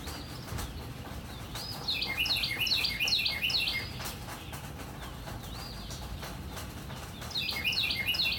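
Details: Northern cardinal in morning rain: a series of fast, clear downward-swooping whistles, then a pause filled with rain hiss, then the same whistled phrase starting again at the end.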